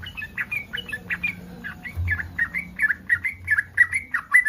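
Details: Yellow-vented bulbul in breeding condition, calling to stir other bulbuls to respond; a steady run of quick, bubbly, slightly slurred notes, about one and a half per second, over a low background hum.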